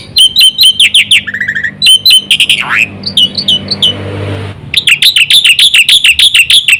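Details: Black-winged myna singing, used as a lure to set other mynas singing: loud harsh chattering notes in quick runs, a low descending squawk, and varied whistles, ending in a long rapid chattering burst.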